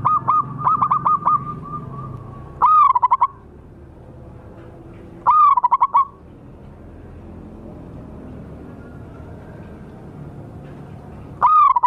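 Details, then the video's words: Wild local zebra dove call used as a lure: a quick string of short notes, then loud bursts of rapid pulsed, trilled coos repeating roughly every two and a half seconds over low hum. "suara pancingan dan pikat burung perkutut liar lokal paling ampuh"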